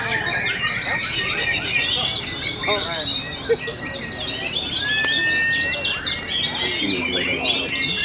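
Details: A competition songbird in Semarang, Central Java, on 29 September 2024 wins its class. It pours out fast, varied chirps, trills and sharp high whistles without pause, overlapping other birds, with faint voices and clapping in the background.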